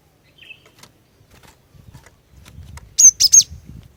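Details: Female cinereous tit singing to draw males into song: after soft scattered taps and a brief whistle, one quick burst of three shrill high-pitched notes near the end.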